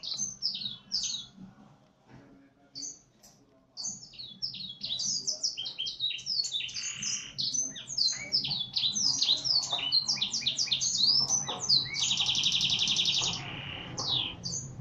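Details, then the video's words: Canary singing a song taught from the Blackthroat: a long, dense stream of rapid high twitters, sliding whistles and fast trills, with a loud buzzing rattle near the end, broken by one brief pause early on. "Kenari isian Blackthroat"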